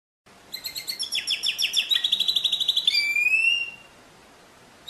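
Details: Canary song: a fast series of repeated sharp notes, about three per second at first, merging into a rapid trill and ending in long clear whistles that slide slightly upward, then quiet.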